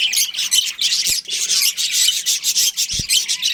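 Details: Budgerigar colony with a breeding pair: continuous high, raspy chirping in quick pulses, many birds calling together, and a couple of dull thuds.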